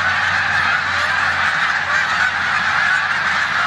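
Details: Snow geese resting before their migration to the Canadian tundra, in a corn field in Savannah, New York, 14 March 2020, with Canada geese; a dense, steady chorus of high, yelping honks.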